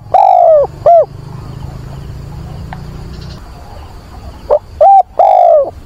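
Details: In wind and rain on 24 September, a decoy dove coos to find a partner and excite wild doves; a long falling coo and a short note open, a quiet gap with low rumble follows, then a quick short, level and long coo sequence.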